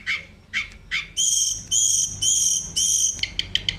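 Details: Sunda robin singing to spur other birds into song: three rising whistled notes, then four long rich buzzy phrases about half a second each, closing with quick sharp high chips.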